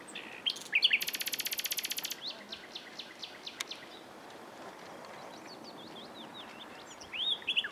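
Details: Common nightingale singing among scrub on 27 April 2021, heard during a bike ride, one bird perched in view; a loud rapid buzzing rattle of even pulses, then spaced sharp notes and whistled phrases, over steady background noise.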